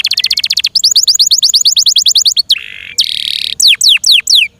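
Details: Caged Yorkshire canary in full song, with rapid high repeated notes, a run of quick chirps, a brief lower buzzy phrase, a dense rolling trill and several long descending whistles.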